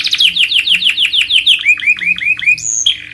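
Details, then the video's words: Canary song from a master recording for training other birds: a fast series of descending swept notes, then lower upslurred notes and a high whistle, all bright and clear. "Masteran suara burung kenari paling dicari juri/ lansung dikunci..."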